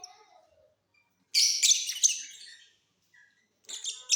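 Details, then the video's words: Mutation lovebirds singing in a flying cage during the off season: two bursts of shrill, scratchy chirps high in pitch, the first about a second long, the second shorter, with quiet gaps. "Love birds Mutation singing during off session"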